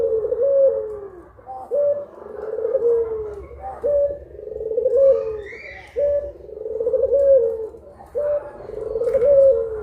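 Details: Two puter pelung collared doves recorded in broad daylight for a sound guide, cooing steadily in low, rolling phrases. Each phrase opens with a short clipped note and then a drawn-out wavering coo, repeating about every two seconds.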